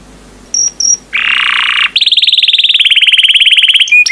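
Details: Yellow canary song: a few high chips, a harsh buzzy burst, then a long rapid trill of short notes gently falling in pitch, with faint background noise.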